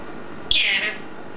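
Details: Pet green eclectus parrot vocalizing indoors while talking, giving one harsh, broad, hissing screech lasting about half a second against quiet room background.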